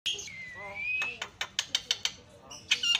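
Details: Black-winged myna (Acridotheres melanopterus) song, used as a lure to set off mynas that have stopped singing: a long, slowly rising whistle, then six harsh, clipped notes in quick succession, ending in scratchy chatter.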